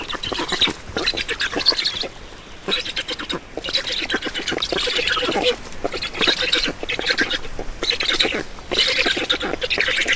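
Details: Feeding time at an Estonian black stork nest, 7 June 2019, 16:44: grating, hoarse calls in uneven bursts with short pauses between them, plus soft clicks and knocking.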